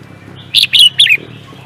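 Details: Singing-contest bird voicing three clear high notes, each bright and slightly descending, spaced evenly within under a second, over a low steady hum.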